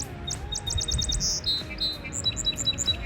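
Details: Song sparrow (Melospiza melodia) on a path in spring sings its four-part song: a quick run of repeated high clipped notes, a brief buzzy trill, then a jumble of varied bright notes, over a low background rumble.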